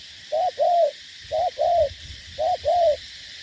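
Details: Spotted dove used as a ground-fighting decoy in Ca Mau, Vietnam: three evenly spaced pairs of mellow coos, each a brief note followed by a longer drawn-out one, under a steady faint hiss.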